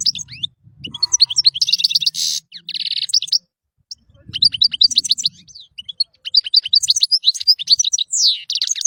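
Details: European goldfinch singing: a rapid, tinkling jumble of high twittering notes, buzzy trills and liquid chirps in bursts, with a brief pause midway, alongside low faint rustling noise.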